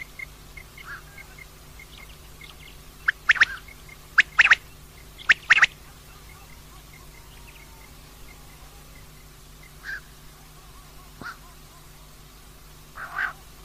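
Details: Calling female common quail: three bright, sharp phrases of one note then a quick pair, close together early on, then several fainter isolated notes spread across a quiet background.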